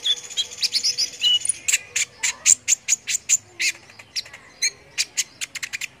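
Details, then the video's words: Sunbird (kolibri ninja) singing vigorously, kept as a tutor recording for competition birds: dense high-pitched chirps and thin whistled notes, fast and uneven, with a brief buzzy trill near the start and a faint steady low tone underneath. "MASTERAN BURCIL AMPUH UNTUK BURUNG LOMBA BIKIN EMOSI || KONIN GACOR"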